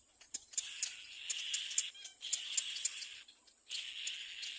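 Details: Little black cormorant chick at the nest, crying loudly as another bird approaches: harsh, hissing, broadband cries in long bursts of about one to one and a half seconds, separated by short pauses.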